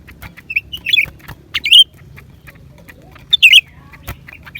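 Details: Lesser green leafbird song recorded January 2023: short, loud whistled and slurred phrases, some rising then dropping, given in bursts with pauses, over a steady low hum and faint background clicks.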